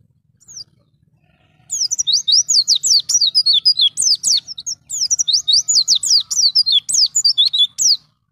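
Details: Wild white-eye song, forest style, used for training young birds: a single high chirp, a pause, then two long bursts of fast, sharp, descending chirps repeated many times, clear and loud against a quiet background.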